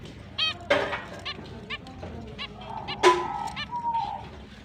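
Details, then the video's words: Finches at the start of their breeding and mating season, recorded October 29, 2023, giving happy chirping: short nasal, honking calls spaced irregularly, with a few softer chirps and a faint background hum. "Finch is breeding start Mating Season, Happy chirping sound"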